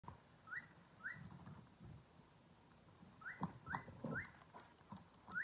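A cockatiel gives short, rising whistled chirps, repeated in quick bursts.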